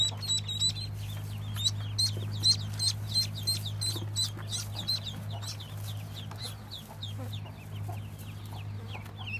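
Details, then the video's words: Shrill, high peeping from a brood of 25 freshly hatched yellow ducklings of a white Muscovy duck, rapid and overlapping, fading slightly toward the end over a steady low mechanical hum. "White Muscovy Duck Hatched Lovely 25 Yellow Ducklings"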